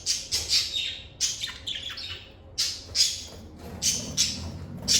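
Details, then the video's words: Lovebirds giving cheerful calls in a calm, stress-free setting: loud, harsh, high squawks and chirps in quick clusters, nearly continuous with short gaps. "Lovebird Singing & Chirping Sounds"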